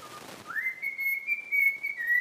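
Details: Trained pet cockatiel whistling part of a taught tune: a short lower note slides up into one long, steady, clear whistle held for nearly two seconds, then dips slightly at the end.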